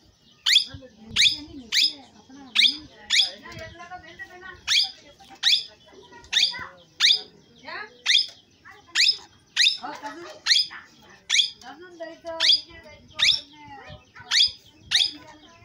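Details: Parrot, described as natural, giving sharp, shrill screeches that sweep up and down, about two each second, steady through the whole stretch, with softer chattering and faint murmuring underneath.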